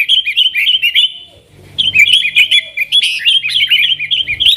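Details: Lure song of a yellow-vented bulbul (trucukan), 'nggaruda' style, for calling wild sooty-headed bulbuls: a quick warbled phrase, a pause of about half a second, then a longer tumbling run of bubbly notes.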